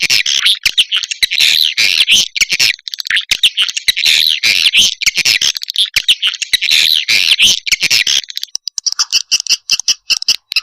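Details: Swiftlet calls in a combined lure recording used to attract swiftlets, described as a mating call: dense, raspy high twittering in rapid bursts, with a thinner, choppier stretch of chirps near the end.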